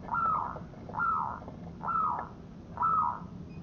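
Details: Local zebra dove recording meant for luring birds into traps: four soft, drawn-out descending coos, spaced almost evenly about a second apart, against faint background hum.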